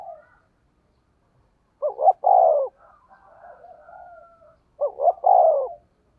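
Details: Spotted dove used as a decoy, 'thổ' voice, 'thúc gù' cooing: two full phrases about three seconds apart, each a clipped double note and a long falling coo, with a soft wavering murmur between.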